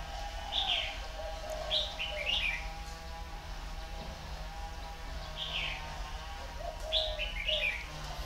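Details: Tame caged Red-whiskered Bulbul, a partly trained 'mồi lỡ' bird, singing naturally: clusters of two or three bright warbled chirps every second or two, high and slurred, over a constant low hum.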